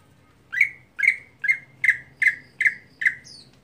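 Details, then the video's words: Monotonous daily singing of a greater green leafbird: a steady run of seven rasping chip notes, each a quick downward-sliding squawk, about 0.4 seconds apart, with a faint high note at the end. "Cucak Hijau Harian Monoton Bisakah Keluar Isian Saat Lomba"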